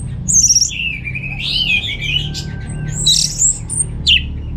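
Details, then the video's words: Orange-headed thrush kept in a cage at home in Singaraja, Bali: a long descending slurred whistle followed by bright, high squeaky notes and a sharp chirp, with soft low hum behind. "Suara ANIS MERAH Berkicau"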